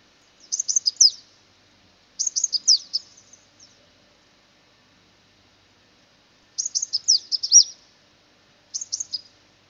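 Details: A purple-rumped sunbird in Sri Lanka gives four very high, thin, rapid twittering bursts, each under a second, separated by brief pauses, with no other sounds.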